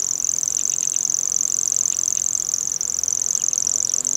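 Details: A Common Grasshopper Warbler reels at dusk on dry fields or meadows: a high, dry, unbroken insect-like trill that holds steady without a pause, with faint chirps from other birds in the background.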